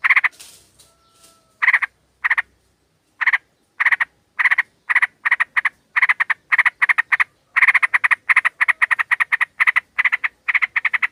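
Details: Sooty-headed bulbul female calling a male, used as a lure: long run of rapid, harsh chattering bursts, mostly double or triple notes, repeated densely after a short faint start, with a brief pause near the beginning.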